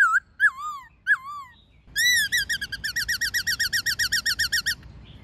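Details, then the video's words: White-cheeked laughingthrush, wild bird with a female, song played to train captive birds: three loud wavering whistles, then a rapid rattling series of about twenty quick whistled notes at an even pace. "Khướu Hót giọng rừng NHIỀU GIỌNG + MÁI RÒ khướu bổi"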